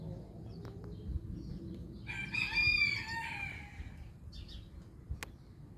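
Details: An Orpington or Marans rooster gives one full, hoarse crow lasting about a second and a half, with a fainter crow farther off afterward over a low background rumble.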